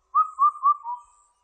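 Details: Indian cuckoo, 2020: one clean four-note phrase of whistled notes, the first three close in pitch and the fourth lower and softer.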